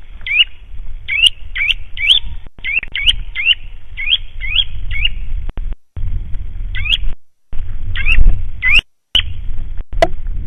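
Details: A White-tailed eagle at its nest in Latvia in March 2012 gives a series of short, high, upslurred yelping notes, about two per second with brief pauses, over steady low wind rumble.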